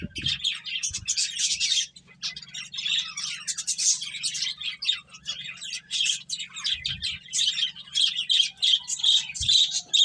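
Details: Finches eating and playing keep up fast, dense chirping and twittering, many notes overlapping, with a few soft knocks and a steady low hum behind.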